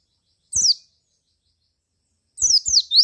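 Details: White-eye lure song meant to provoke other white-eyes into singing: a high, thin note sweeping downward, then after a long pause two more quick descending chirps that run into a rising one. No other sounds are heard.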